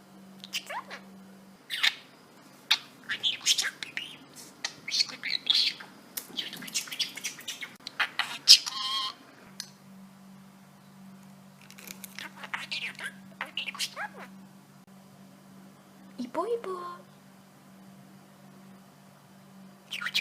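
A pet budgerigar chatters in rapid, scratchy warbles and squawks, mixing in mimicked speech-like phrases.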